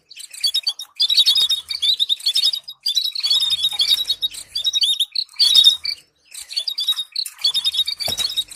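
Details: Stimulating song for teaching canaries to sing, with dense phrases of shrill tweets and trills, a silent gap just after six seconds, then renewed chattering notes.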